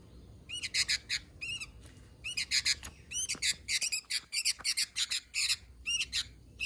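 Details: Sooty-headed bulbul (kutilang) giving rapid bursts of bright, bubbly chirps. Each burst has several quick notes, and the bursts repeat several times a second with short pauses.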